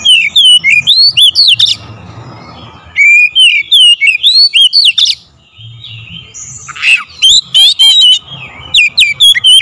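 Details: Oriental magpie-robin song used as a lure to provoke a bird into singing: loud bursts of varied whistled and chattering phrases, sweeping notes and rapid trills, broken by short pauses, with a low hum beneath.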